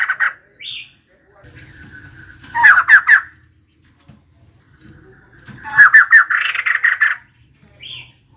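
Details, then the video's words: Female white-crested laughingthrush singing: short high squeaks and a thin whistled tone lead into loud, rapid, grating chatter bursts, then a final high squeak. "Poksay jambul putih betina gacor"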